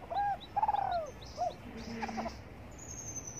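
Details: Spotted dove in the morning sun coos once: a held note, then a quavering falling coo and a short end note. Rustling noise and a high thin whistle follow.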